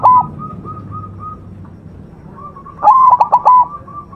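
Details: White zebra dove singing masteran song, with soft repeated short whistles in the background; a coo ends at the start, then a full phrase of rapid broken pulses finishing in a sustained even coo.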